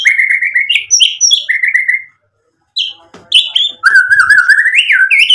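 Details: Energetic White-rumped shama song rich in varied phrases: a sequence of warbled whistles, a short silence, then a burst of fast chattering notes followed by a long, wavering whistled phrase that climbs and drops.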